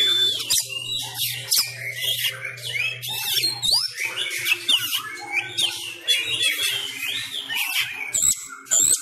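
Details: Sumatran magpie-robin kept at home for training while bird contests are shut, giving fighting-style song: loud harsh bursts, rattles and whistled upslurs, with a low hum early on.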